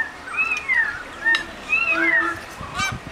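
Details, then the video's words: Unidentified wild birds in the Blue Mountains, Australia, among eucalyptus trees: clear whistled notes that rise and then slide down, repeated, with a few short chirps and faint background rustle. "Birds of Blue Mountains in Australia"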